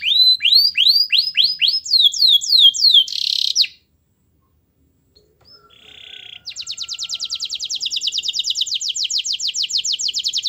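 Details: Canary song intended to prompt a lazy canary to sing: a run of rising swept whistles and a buzzy note, a silent gap, then a long even high rattling trill.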